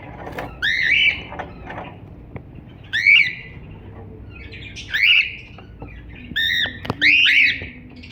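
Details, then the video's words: Cockatiel producing bright, curved squawking chirps, mostly single notes spaced about two seconds apart, with soft clicks and a low room hum between them. "Cocktail singing and chiriping"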